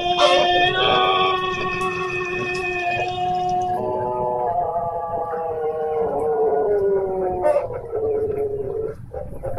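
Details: Long drawn-out crow of a Pelung chicken from Garut, starting strong and harmonic-rich, then sliding gradually downward in pitch over about eight seconds before trailing off, with faint clicks and background noise.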